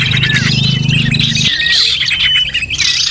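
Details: Lure sound for attracting small birds: many high chirps and twittering notes overlap, over a low droning hum that stops after about one and a half seconds.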